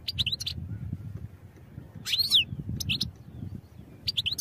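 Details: European goldfinch song for training: repeated short high chirps in small clusters, a central buzzy twitter with a descending sweep, and more paired chirps, over a low rumbling background.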